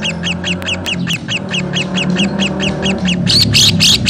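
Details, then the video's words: Lovebird of fighter type giving its long 'ngekek' chatter, used to provoke other lovebirds: a fast, even run of sharp, high clicking notes that grows louder near the end, over a low steady hum. "Suara Burung Lovebird Fighter ngekek panjang mantap"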